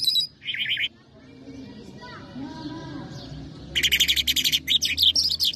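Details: Afghani/Irani lark (mashadi jal) sings in dense bursts of high, buzzy, chattering trills, with quieter faint whistles filling the gaps between them.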